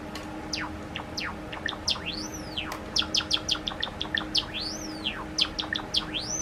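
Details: Captive pet Java sparrows indoors. A three-and-a-half-year-old male is startled as a two-year-old silver female repeatedly attacks other birds' nest box, then sings calmly. Sharp rapid chirps with clicking notes are broken by long arched whistles that rise and fall.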